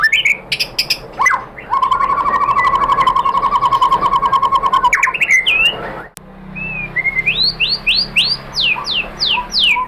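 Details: White-rumped shama lure song to provoke another shama: sharp notes, a long steady rattling trill lasting about four seconds, a click, then a series of rising upswept whistles repeated quickly.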